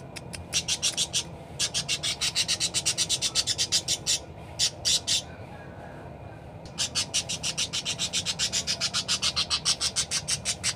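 Parakeet chattering in rapid bursts of harsh, high scratchy notes, roughly four per second, with brief pauses between runs; a low steady hum underneath.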